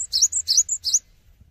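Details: Cinereous tit (gelatik batu) in full song without hopping: a quick string of four or five thin, high, slurred chirps in under a second, followed by quiet faint background hum.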